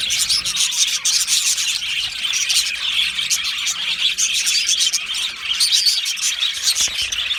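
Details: Australian budgerigar colony in an aviary, a dense unbroken chorus of high, scratchy chirps and warbles that overlap continuously with no pauses.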